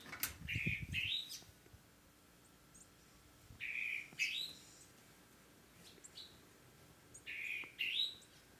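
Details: Bird singing indoors in a small room: short bright chirpy phrases with a rising whistled note, repeated every few seconds amid quiet background hiss, with a low thump near the start.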